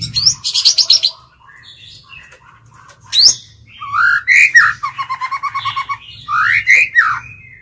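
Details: Decoy White-rumped shama in a cage, singing to draw and challenge other birds: rapid buzzy trill bursts, a sharp upslur, then a steady stuttering series of clear repeated notes framed by loud rising whistles.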